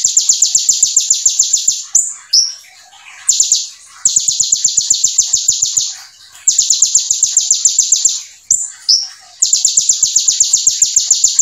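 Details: Brown-throated sunbird (konin) singing loud, very high, rapid strings of sharp notes, about six a second, in bursts of one to three seconds with brief pauses, including mimicked material from other birds.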